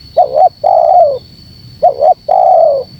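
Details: Spotted dove coo for provoking wild rivals: two phrases, each a brief double coo followed by a long smooth coo that drifts downward, with a thin steady high tone in the background.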